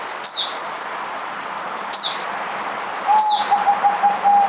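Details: Zebra dove (merbok) kept on multivitamins in 2020 starts a fast run of short, level, soft coos near the end, after three shrill downward chirps from other birds spaced about 1.5 seconds apart.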